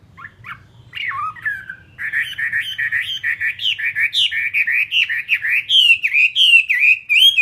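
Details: Caged fighting Chinese hwamei starting with scattered short whistles, then building into a steady, loud sequence of warbled, rising and falling notes, about three per second. A soft low rumble sits underneath.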